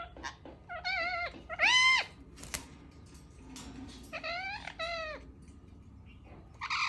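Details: Pet ringneck parakeet making weird sounds indoors: a series of drawn-out nasal meow-like calls with rich harmonics, some rising then dropping, in short groups with brief pauses and a quiet room background.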